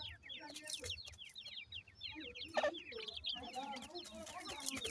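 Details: Raised grey francolin (teetar) chicks give a dense chorus of quick descending peeps. Softer mid-pitched clucks and a bump of noise sit among them.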